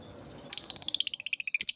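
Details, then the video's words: Lovebird therapy sound meant to coax young birds still learning to sing: one sharp high note, then a rapid run of about fifteen clipped, shrill pulses, evenly spaced, chattering. "Suara terapi lovebird | kicau terapi lovebird paud"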